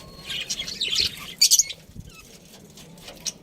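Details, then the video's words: Pet budgie giving a quick run of high scratchy chirps in the first second and a half, then a few faint ticks over a quiet background. "cute budgie chirping sounds"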